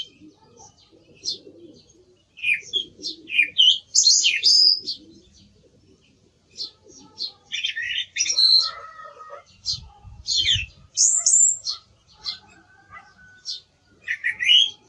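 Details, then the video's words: Song thrush song of scattered, sharp high notes and short trills in uneven bursts, with a soft low murmur and brief rustling in the background. "Sonido del Zorzal Comun - Sturz cantator - TURDUS PHILOMELOS"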